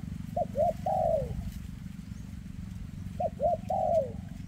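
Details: In a 'rước'-style song, a spotted dove whose leg trembles gives two phrases about three seconds apart. Each is a pair of quick rising notes ending in a long falling coo, over constant low hum.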